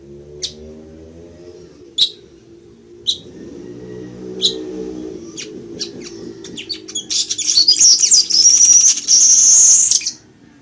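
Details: Chichiguago, a weaver, singing as a teaching model for cage birds. Sparse crisp clicks over a low droning hum build into rapid chatter and finish in a loud, hissing, buzzy trill that lasts about three seconds.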